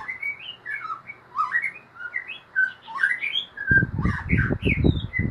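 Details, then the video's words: White-rumped shama delivering a loud, lively ngeriwik song: a fast stream of varied whistled phrases, rising and falling slurs and chattery notes, joined after a few seconds by repeated heavy thumping noises. "SUARA MURAI BATU NGERIWIK BAGUS DAN MERDU"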